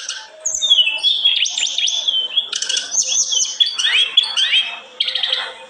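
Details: Olive-backed tailorbird delivering a rich, continuous warble of rising slurs, high whistles and rattling trills in quick succession.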